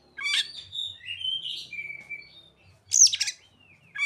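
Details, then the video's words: Oriental magpie-robin voicing ciblek and sogon imitations: a scratchy high burst, then thin, wavering whistles sliding downward, a quiet gap, and a loud raspy, high-pitched chattering phrase, with faint low thumps beneath. "Kacer isian burung ciblek dan sogon"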